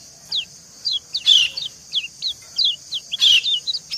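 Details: Calling back and forth with a male, a female white-eye gives short, high, downward-slurred chirps every few tenths of a second, with two louder bursts, over a continuous thin high-pitched hiss.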